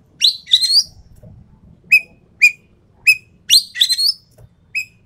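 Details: Endemic Sumatran treepie giving loud grating, buzzy bursts interspersed with short, crisp whistled notes that drop in pitch, roughly one every half second, with a soft low background murmur.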